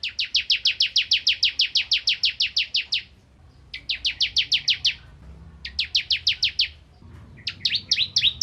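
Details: Bar-winged prinia of the crystal variety, found in rice fields, singing rapid rattling trills of evenly spaced sharp notes in bursts of two to three seconds, separated by brief silences, ending with jumbled chirps.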